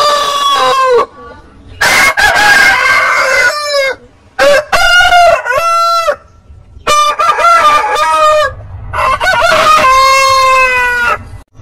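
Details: Rooster crows from a heritage-breed compilation, five separate harmonic crows, each rising then holding and dropping, spaced about two seconds apart, with quiet gaps between.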